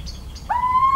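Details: Little owl recorded in the countryside of central France on 17 March 2019: a clear, drawn-out whistled note that rises slightly and then holds steady, preceded by faint high chirps.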